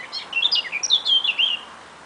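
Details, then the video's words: A small bird singing live, with tiny, thin, high twittering notes that jump up and down in quick succession for about one and a half seconds. It is quiet, with no other clear sounds. "What BIRD is making these Tiny Little Bird Sounds?"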